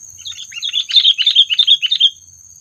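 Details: Rapid, chattering run of about a dozen bubbly, slightly descending chirps by a sooty-headed bulbul, a call used in trapping to provoke predators, over a steady high-pitched whine.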